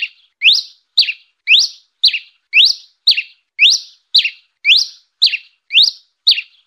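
A red pileated finch repeats a clear, fluted note that sweeps upward, nearly twice a second and very evenly, with no other sounds.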